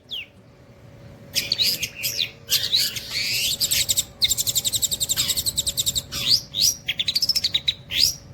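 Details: Continuous nembak cililin song of a long-tailed shrike: harsh, scratchy bursts give way to a rapid rattling trill of evenly spaced notes, then a few sweeping whistles. Steady background hum.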